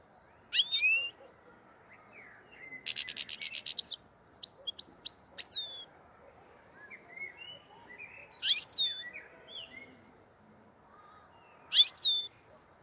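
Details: Black-headed goldfinch singing in the Andijan, Kuva and Fergana area of Uzbekistan. Bright downslurred notes alternate with a dense harsh buzzy burst and scattered soft twitters over a low background hum.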